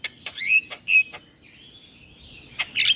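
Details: Black-winged starling, a caged bird in full song used as a lure for silent starlings: sharp broadband clicks and chips mixed with bright whistled notes and a thin sustained buzzy phrase near the end.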